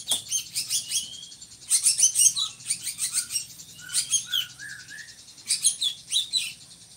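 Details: Drongo kept in Indonesia to tutor other songbirds: rapid harsh chattering phrases of rasping high notes, broken by a short sequence of four or five slurred whistles before chattering resumes.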